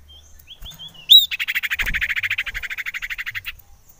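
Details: Common iora call meant to excite and attract other ioras: a sharp high note opens a fast, even, buzzy chatter of repeated notes lasting over two seconds, with faint soft thumps underneath.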